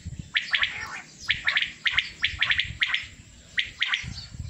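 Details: Male common quail, known as batair, with a group of 27 birds, calling in short clustered bursts of two or three sharp, buzzy notes about once a second, over a low background rumble.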